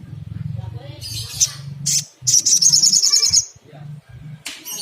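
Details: Little spiderhunter, played as a lure to stimulate calling, with a rapid high-pitched trill of evenly repeated sharp notes between isolated chips. A low hum lies beneath.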